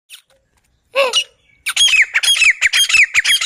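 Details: Grey francolin, called Sindhi teeter, in a hunting context; after a few scattered notes, a loud run of harsh squawky notes repeats rapidly, about two per second, each with a bright sliding tone.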